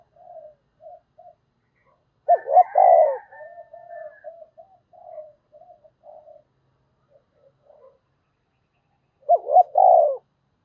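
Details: Spotted dove used as a decoy, cooing to call: soft scattered low notes, then a loud phrase of two quick hoots and a drawn-out coo with a brief higher rasp, more quiet murmurs, and the phrase again near the end.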